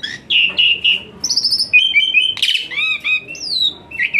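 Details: Asian pied starling 'tembakan panas' fill-in song, intended to get lazy starlings singing: varied whistles and trills, a harsh noisy burst near the middle, then arched upslurs and a long falling whistle.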